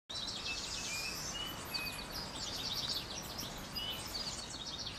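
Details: A small flock of pine siskins, rarely seen locally in summer, twitters continuously in thin, high notes, with a few short rising buzzy calls, over a steady hiss of background noise.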